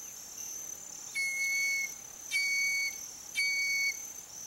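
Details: Whistling heron giving pure, drawn-out whistles, three even notes spaced about a second apart, each held steady without rising or falling, over a constant thin high-pitched hiss.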